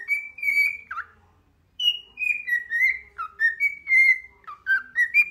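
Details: Bird sitting on a finger sings a lively run of bright whistles, long level notes alternating with dipping slurs and fast chirpy phrases, after a short silent break.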